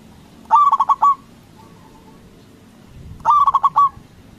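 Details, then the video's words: Local zebra dove calling loudly to goad other doves into answering: two phrases of rapid, even coos ending in a sustained final note, about two and a half seconds apart, soft background noise. "Perkutut lokal Gacor Suara BESAR bikin Cepat Emosi Lawan Auto Nyaut Seketika"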